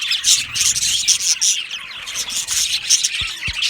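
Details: Aviary of happy budgies chattering together, a thick wash of shrill chirps, squeaks and rapid warbled notes, with faint rubbing or scratching knocks toward the end.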